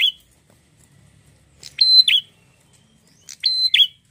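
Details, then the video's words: Red-headed prinia singing, a lively bird that sets off other prinias. A brief high note opens, then two loud phrases: each a sharp clipped note, a steady high whistle, and a twisting lower note, about a second and a half apart. "prenjak gacor"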